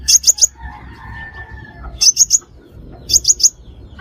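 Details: Five-coloured sunbird calls for luring birds into traps: triplets of sharp, very high chips repeated about every one and a half seconds, with a quiet background.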